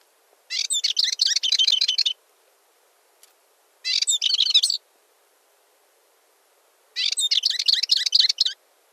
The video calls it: Curruca balear (Sylvia balearica) Canto